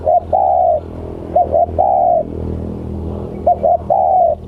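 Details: Spotted dove (tekukur) cooing outdoors: three phrases of a short broken double note then a drawn-out mellow coo, repeated about every one and a half seconds over low background rumble.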